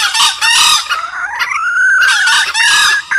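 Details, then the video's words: Junglefowl crowing, used as a lure call to attract wild junglefowl: loud, harsh, rasping bursts with a drawn-out rising note between them, repeated about every two seconds. "pikat ayam hutan pake suara ini"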